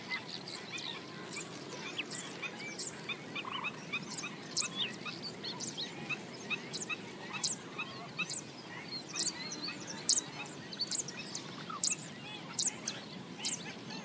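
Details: Black-winged stilts foraging along the banks of a swamp, giving a busy chorus of nasal, yapping notes from several birds, overlapping and repeated throughout, with sharp high ticking sounds above and steady background hiss.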